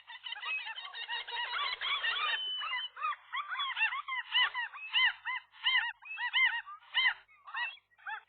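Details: Gulls at a nest in the morning, a pair driving off a single gull that tried to get between male and female. A dense burst of overlapping harsh calls gives way to a steady run of arched, nasal cries, roughly two per second.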